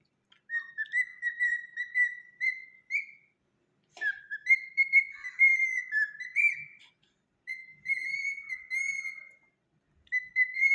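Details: A pet cockatiel named Luna whistles a clear, tuneful song of sustained notes, phrases broken by brief pauses, singing for a banana.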